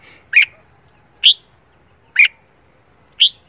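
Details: Red-whiskered bulbul practising its morning competition song; four single clear chirped notes, each about one second apart, alternating between a lower warble and a higher bright note, against a soft background hiss.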